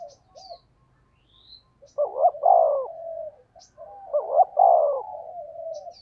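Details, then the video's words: A spotted dove's thúc gù coo, aimed at luring wild doves. Two deep, rounded coo phrases, each trailing into a drawn-out lower note, with brief sharp high chirps from small birds in the background. "tiếng chim cu gáy thúc gù hay nhạy bổi, bổi nghe rất xiêng gáy"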